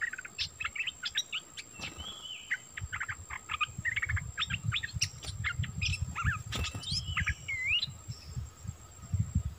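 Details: Cream-vented Bulbul used as a decoy to lure a wild bird down, March 2021; bursts of sharp chirps and a few looping whistled notes over low rumbling background noise.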